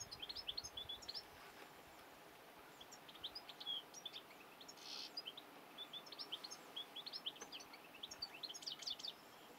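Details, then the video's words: Song of a European goldfinch, a lively run of bright, high chirps and liquid twitters delivered in fast clusters with brief gaps, set against constant faint environmental noise. "Jilguero canto"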